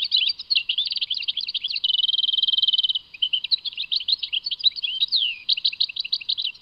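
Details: Goldfinch song from Tadmait, Algeria: rapid liquid twitters open the phrase, then an even buzzy trill for about a second, followed by more varied chirps and a rising-falling slurred note, all high and unbroken.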